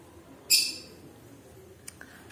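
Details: Single short, sharp, harsh squawk from a pet Alexandrine parakeet kept as a desi talking parrot, then quiet room noise with a faint tick and a soft high tone.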